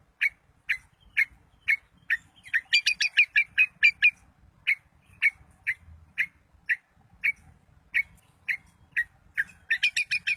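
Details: A long-tailed shrike singing to stir other shrikes: evenly repeated mid-high notes, roughly two per second, broken by brief faster passages of richer, ringing notes.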